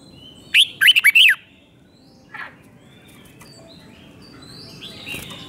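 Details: A red-whiskered bulbul gives one quick phrase of five bright, bubbling whistled notes from its doubled song for young birds to learn. Faint scattered chirps follow in a quiet stretch.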